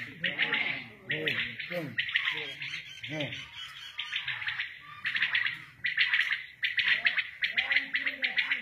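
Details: Batair, the common quail, calling at a village in Shahbazkhel where it is hunted: steady, dense series of high, clipped triple notes, with people talking in the background throughout.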